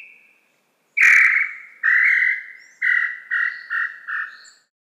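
Tataupa Tinamou song: a long, clear whistled note, then a run of shorter, slightly falling notes that speed up, about six in all.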